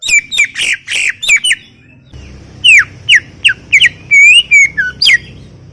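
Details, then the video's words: Greater green leafbird in vigorous song, harsh chattering notes at first, then a series of clear, sharply descending and rising whistled notes spaced a fraction of a second apart, above a soft low background rumble. "Full Gacor 40 menit CUCAK IJO"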